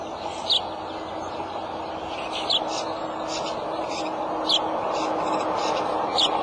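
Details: Adult male bald eagle calling at a nest with eggs, March 23 at 2:26 pm: short high, slightly falling chirps repeat about every two seconds over a steady low hum of background noise.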